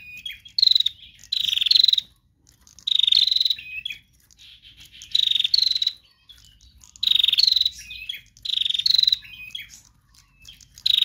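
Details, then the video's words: Bar-winged prinia female in full chatter. Rasping, finely pulsed high bursts of up to a second come in clusters about every two seconds, with brief softer notes between. "Prenjak Betina Lepas Trotol GACOR Narung Mantap"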